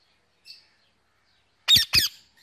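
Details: Indian ringneck parakeet, a male pet, calling his mates in the evening: after a soft high peep, two loud, grating screeches close together.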